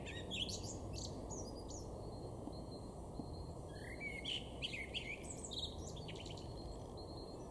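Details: Male common blackbird singing in a garden in Weener, East Frisia, far northwest Germany, March 2024: scattered fluty phrases with a low rising swoop midway, over steady low background rumble.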